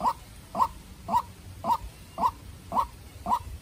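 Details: White-breasted waterhen, a tame farm-raised decoy, in a tense fight with a wild bird: seven regular short mid-pitched calls, about two per second, over low hum.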